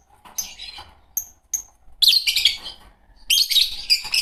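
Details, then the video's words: Green Fischer's lovebird pair: a few isolated sharp high chirps, then two loud bursts of shrill, scratchy chatter near the end. "Lovebird singing & chirping sounds -Green Fischer Pair"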